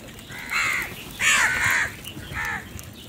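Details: Morning crow at feeding time giving three harsh, nasal caws, the middle one longest and loudest, over a low outdoor murmur.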